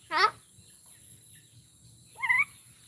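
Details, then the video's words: A myna talking in Bodo: a loud, quavering, harmonic syllable that falls in pitch, then after nearly two seconds of quiet a second rising, vowel-like utterance. "Maina Bird - The First Human to Talk in Bodo Language!"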